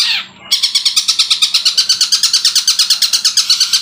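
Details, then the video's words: Long-tailed shrike (cendet) imitating other sounds, said to have learned the 'kuntilanak' and 'tengkek buto' sounds. A brief noisy note is followed by a loud, rapid train of high, harsh chattering notes, about six per second. "Cendet Trotol sudah bisa bunyi kuntilanak Tengkek Buto gacor"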